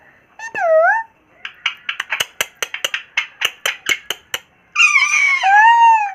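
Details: Pet Indian ringneck parrot: a curved nasal squawk, then a rapid string of sharp clicks, ending in long wavering harmonic calls, recorded in a small room.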